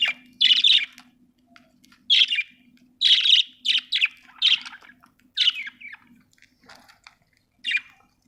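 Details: Pet budgie chirping busily: loud, raspy squawked chirps in irregular clusters, several close together, interleaved with softer chatter, over a faint intermittent low hum.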